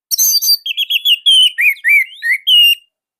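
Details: Orange-headed thrush, Indonesia, delivering its unique, tight, loud song. A harsh high opening note leads into a rapid string of bright whistled slurs, rising and falling, each about a quarter second long, then silence.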